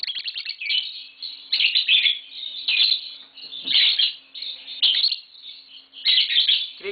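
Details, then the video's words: Chattering from a pair of tame green Fischer's lovebirds, caged at home: shrill, buzzy chirps grouped into bursts roughly every second or two, with a faint steady hum behind. "Lovebird Singing & Chirping Sounds - Green Fischer Pair"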